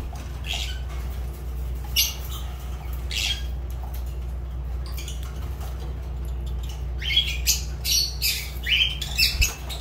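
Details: Fischer's lovebird (Agapornis fischeri) kept as a pet, giving scattered short shrill squawks and sharp chips, louder bursts near the end over a steady low electrical hum.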